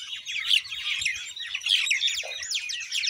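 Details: Common myna calling in a quick stream of raspy chirps and sharp whistles, with two louder squeaks and a low croak near the end.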